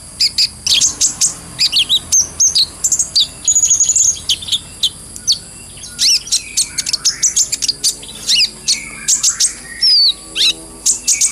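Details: Brown-throated sunbird (kolibri ninja) song used as a masteran training lure, described as full ngobra, gacor, with clear voice; rapid bursts of high, sharp chirps and short whistled slurs, with a longer thin whistle near four seconds, notes tumbling in quick irregular clusters.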